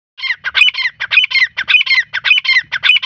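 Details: Irani teetar, a francolin, calling loudly in a fast harsh series of squawking notes, bursts repeated almost twice a second with rasping, grating syllables, no other sounds.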